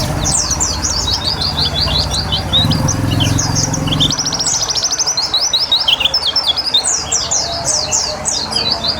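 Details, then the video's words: White-eye in water therapy for singing: rapid high chirps and a fast trilled run, water splashing steadily, low rumble in the first half. "Terapi Air Untuk Burung Pleci biar Cepet Nembak"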